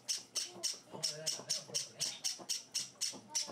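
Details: Java sparrow chicks kept as pets, being hand-fed four days after arriving. They repeat shrill, raspy high chirps about four times a second in an even rhythm, while a person murmurs quietly.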